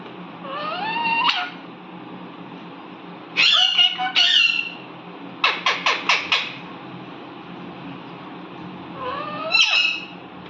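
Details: Pet Indian ringneck parrot giving harsh squawks in separate bursts. One opens with a rising note, then comes a quick series of five clipped calls, and a final rising squawk ends in a sharp peak.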